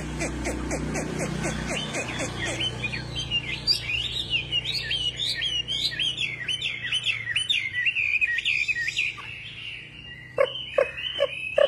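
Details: Energetic wambi bird song: a rapid series of rhythmic pulses over a low hum, then a long, rambling warble of high, twisting whistled notes, ending with a few sharp clicks.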